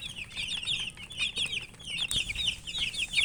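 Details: Chicks of domestic chicken (murgi) feeding, a dense run of high, thin chirps repeated rapidly and overlapping, with a sharp tap near the two-second mark.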